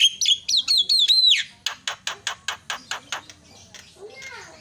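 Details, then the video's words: Myna call recording meant to provoke mynas into calling: shrill, wavering whistled phrases, then a steady run of about ten harsh clicking chacks, then quiet squeaky notes. "sekali pencet langsung cerewet terapi jalak macet"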